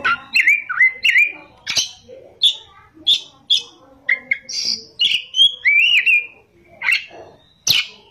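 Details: Kacer, the Oriental magpie-robin, singing ngerol and nembak: clear whistled slurs and short sharp notes in spaced phrases, some notes buzzy, over a quiet background.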